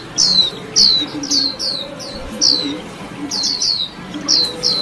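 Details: Warbling white-eye singing chirpily: high, thin notes sliding downward, given one after another in short bursts about every half second, with a faint low murmur underneath.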